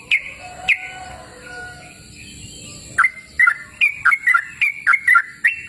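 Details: Yellow-vented bulbul in cool open surroundings: after a few scattered notes and faint thin whistles, it launches into a fast, regular chain of bubbly, clicking notes, roughly two per second.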